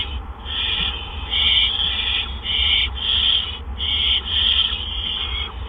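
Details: Barn owls at a nest on an April 2013 evening around 8 PM, as two adults deliver gophers one after the other; harsh raspy hisses come in bursts of about half a second, roughly six in quick succession, over a steady low hum.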